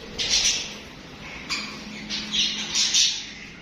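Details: Parakeet chatter from pet budgies: raspy, noisy squawks in irregular bursts, one near the start and a cluster of three toward the end, over a soft low hum.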